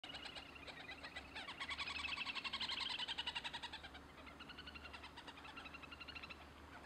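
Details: Little grebe giving a long, rapid trill of evenly repeated pulses that swells to a peak in the middle and fades, then continues more softly, over steady low background noise.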